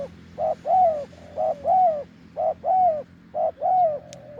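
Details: A wild spotted dove with a deep voice, near a branch decoy, coos in a steady pattern: a short hoot followed by a longer arched coo, repeated four times about once a second.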